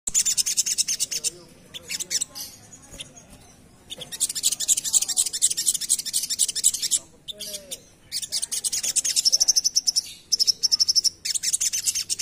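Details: Little spiderhunter in lively, full rapid 'ngerap' song, used as a lure: dense bursts of high, sharp chipping notes in fast runs, broken by short pauses, with thin whistled trills near the end.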